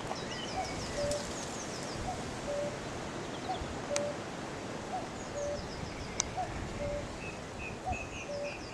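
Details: A cuckoo sings from a tree on May 3, 2018, with horses nearby. Its clear two-note cu-coo, the second note lower, repeats roughly every one and a half seconds over steady outdoor noise. Higher chirps from other birds are heard.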